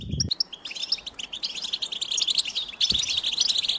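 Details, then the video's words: Brief goldfinch song of quick, sharp high notes and twittered phrases, with a low thump at the start and another near three seconds. "the Goldfinch Song"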